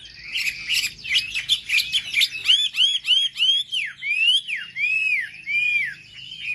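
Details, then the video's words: Wambi song meant to provoke other wambi birds: scratchy mixed chirps lead into clear, arched whistles repeated about every half second, ending in longer swooping notes. "pancingan suara wambi paling ampuh untuk memencing emosi burung wambi"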